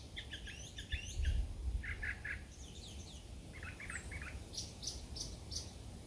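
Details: A Brown Thrasher singing from up overhead gives a run of varied short chirpy phrases, clustered and never seeming to repeat, each group different from the last, over low rumbling wind noise.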